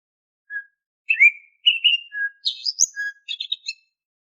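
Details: Oriental magpie-robin singing, a lure recording to make caged birds sing: a short low note, then quick varied whistles and chirps rising to sharp high, twittering notes, about ten notes in three seconds, with no background noise.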